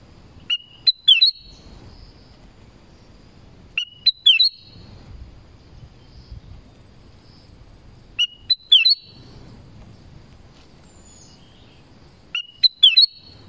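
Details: Black-crested bulbul in the forest singing the same bright, slurred whistled phrase four times, roughly every four seconds, with quiet gaps between.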